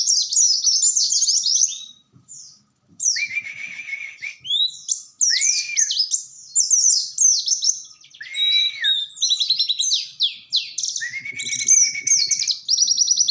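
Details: Oriental white-eye in loud sustained song, dense high chirps and trills interrupted by short pauses, with lower slurred whistles mixed in.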